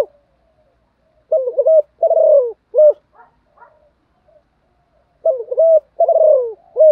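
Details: Spotted dove kept as a decoy and trained to sing all day to provoke newly caught birds; two three-note coo phrases with a long burry falling middle note, separated by a few faint soft notes.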